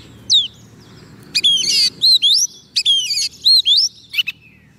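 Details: White-rumped shama fed soft food, singing to call wild birds: short clear downslurred whistles alternating with dense buzzy trills, delivered in quick separate phrases over a low background rumble.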